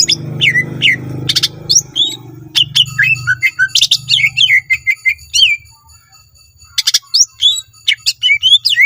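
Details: Greater green leafbird singing a full, varied song, used to draw other green leafbirds into singing; a dense stream of chips, buzzy bursts and looping whistles, with low rumbling noise beneath the first half and a brief gap near six seconds.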